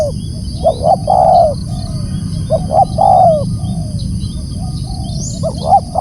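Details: Spotted dove giving loud calls, double short coos leading into a longer, slightly wavering downward note, three phrases in quick succession with steady low-frequency noise behind.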